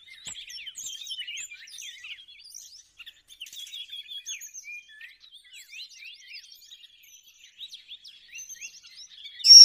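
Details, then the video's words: Bar-winged prinia sounds used to lure birds for trapping: a steady, quiet stream of rapid, high, scratchy twitters and short chips, with brief pauses, ending in a sudden louder burst. "suara pikat burung cigun ciblek"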